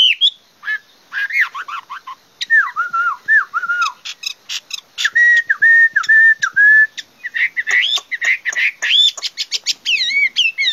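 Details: Chinese hwamei delivering a long, varied song: wavering whistled phrases, sets of repeated downslurred notes in steady runs, quick chattering trills and high looping whistles, loud and continuous throughout.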